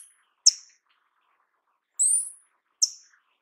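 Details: Paradise Tanager (Tangara chilensis), also called sete-cores-da-amazônia, giving three thin, high, sharp call notes over about three seconds, the middle one longer and slightly rising, with silence between.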